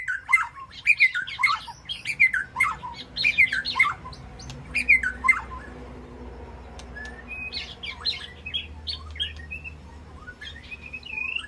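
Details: White-rumped shama in an aviary sanctuary communicates with its flock through repeated rich, downslurred phrases, then softer scattered whistles, over a constant low hum.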